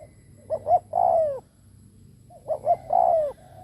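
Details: Kept spotted dove used as a lure, cooing strongly: two identical phrases two seconds apart, each a quick double hoot leading into a long, full, downward-sliding coo, over a faint low background hum.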